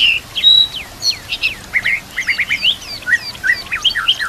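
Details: White-rumped shama singing, its song filled with kapas tembak, canary and cililin phrases, for training young birds: a long pure whistle, then a rapid string of short hooked chirps sliding up and down.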